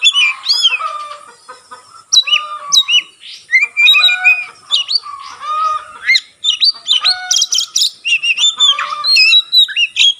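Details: Singing Oriental magpie-robin displaying its spread tail, its song said to set other magpie-robins singing; continuous fast medley of whistles, rising slurs and harsh chips with barely any pause.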